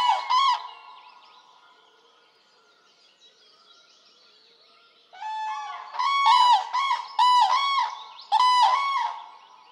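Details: Common crane in Poland giving loud trumpeting calls, a brief burst at the start, then after a quiet stretch a run of rich, bugling notes repeated in quick series, with harmonics ringing high; faint distant calls fill the pause.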